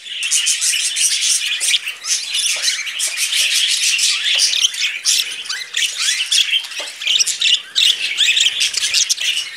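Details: Two budgerigar brothers sitting on a person's hand, chattering nonstop with a dense, scratchy, high warble of squawks and chirps, sustained and fairly loud throughout, with faint handling noises.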